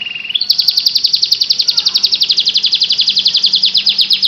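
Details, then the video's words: Canary song: a short low whistled note slides upward into a long, fast, even trill of bright high notes, about seven per second, holding steady pitch to the end. "KICAU KENARI FULL GACOR"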